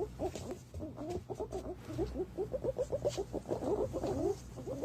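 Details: Sound used to lure green pigeons: a steady stream of rapid, low, bubbling notes, several birds calling at once, rhythmic and continuous throughout.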